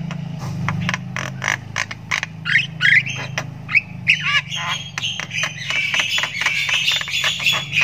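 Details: Long ngriwik from a Javan myna nestling learning to sound: rapid ticking clicks interleaved with bent, squeaky notes, becoming a denser hissy chatter toward the end, with a faint low hum.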